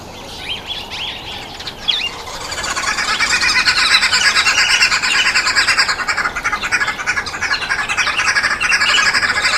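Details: Red-billed wood hoopoes, a very noisy bird, at a feeding table: after a few soft chirps, a loud, dense cackling chorus builds from about two and a half seconds and continues in fast, rhythmic bursts to the end.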